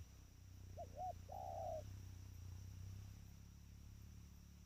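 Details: Trained spotted dove giving one cooing phrase: two short upswept notes followed by a longer, steady, slightly buzzy coo, over a constant low hum.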